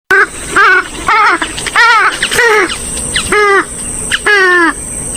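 Swamphen giving loud, nasal, harmonic honks and wails, some sliding downward, repeated roughly twice a second, over a steady thin high-pitched whine.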